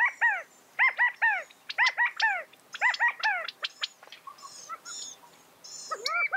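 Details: California quail calling over and over: arched, downslurred notes with strong harmonics, bunched in quick series of two or three about once a second. Thin high chirps from other birds sound in the background.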